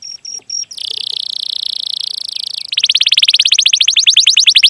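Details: Canary singing a long chirping, rolling song used to prompt young, untrained or silent canaries to sing: a few faint short whistles, then a steady buzzy trill, then a fast, evenly pulsed roll that runs to the end.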